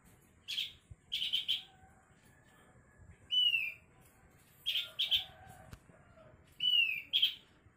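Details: Asian glossy starling giving strange calls: sharp, bright, clustered notes in short bursts, plus downward-slurred whistles near 3.5 and 7 seconds, separated by brief pauses, with faint lower tones and soft background noise.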